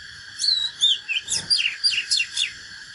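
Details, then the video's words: Natural Oriental magpie-robin giving its fighting song: a lively three-second run of high whistles, rising and falling slurs and sharp chips, repeated almost without pause. "KÍCH LỬA chòe than || Chích chòe than HÓT ĐẤU CHIM TỰ NHIÊN"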